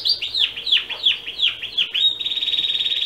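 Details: Canary song played as a tutor recording for a young male canary kept apart from its parents in its own cage: steep descending whistled sweeps repeated several times a second, ending in a fast buzzy trill.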